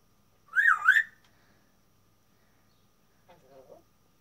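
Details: Pet African grey parrot, a male, in the first recording of him talking: a loud wavering two-part whistle, then a soft brief muttered sound after a pause.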